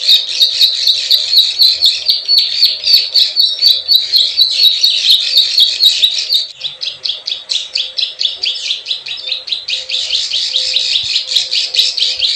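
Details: Plain prinia calling, recorded as a lure for wild birds: long stream of buzzy, rasping notes with high clicking ticks, softening briefly midway into separate chips before building again into a dense scratchy run.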